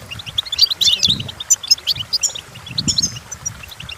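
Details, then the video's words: Goldfinch song used for teaching goldfinches to sing: fast twittering high notes in quick bursts, with brighter buzzy trills near the middle and end, over faint low background rumble. "Golden Tunes The Entrancing Song of Goldfinches Birds"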